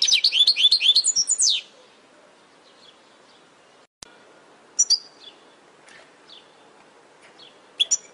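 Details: European goldfinch training recording for caged birds: one quick run of high, liquid twittering notes ending in a slur, followed by quiet with a click and a few scattered thin chips.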